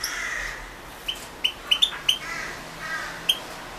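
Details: Recording entered in the 2016 world goldfinch song championship, European goldfinch: soft nasal wheezy notes interspersed with a series of sharp, high, liquid chips given in quick succession, then a lone chip after a pause.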